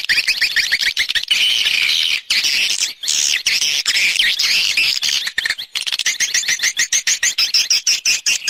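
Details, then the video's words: Swiftlet external sound recording from 2020: a continuous wash of high, harsh twittering chirps with brief gaps, then faster, clipped chirps repeating in the final seconds. "Free Swiftlet External Sounds"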